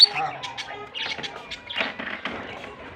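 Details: A pair of lovebirds, one blue and one white albino, chatter in harsh, high squawks and short buzzy chirps, several bursts a second with brief pauses, over faint background noise.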